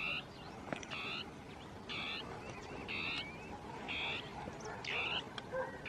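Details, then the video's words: Dusky tapaculo (Scytalopus fuscus) singing territorially in scrub, two birds interacting; buzzy harmonic notes spaced about one second apart, with faint ticks and a noisy background. "CHURRIN DEL NORTE (Scytalopus fuscus) CANTANDO"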